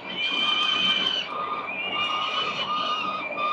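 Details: Four Peregrine Falcon chicks calling while being fed breakfast at a building nest in Victoria on 4 November 2021, recorded by CCTV. One unbroken, strident harmonic wail that shifts pitch slightly midway.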